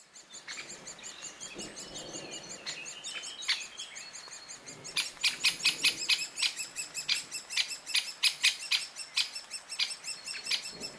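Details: Great spotted woodpecker feeding its young beside the Vistula River, Middle Vistula Valley Natura 2000 area, Poland, gives sharp, high clicking notes in quick irregular bursts over a thin, high chatter, with an approaching storm in the background.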